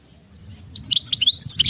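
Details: Wild-type khalawi song of a European goldfinch: after soft low rustling, a quick, high twittering phrase of bright chirps and slurred notes begins and keeps going to the end.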